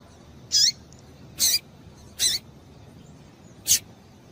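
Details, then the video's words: Female double-collared seedeater calling to stimulate males into singing: four short, sharp, high chip notes spaced roughly a second apart, some with a quick downward slur, over a quiet low background hiss. "Piado de Fêmea de Papa capim para Esquentar Papa capim"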